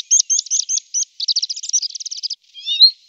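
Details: Tree pipit, a small migratory bird of the wagtail family, in song. It gives a string of quick repeated high notes, then a dense rattling trill, and ends with a thinner drawn-out rising-falling note. There is no other sound.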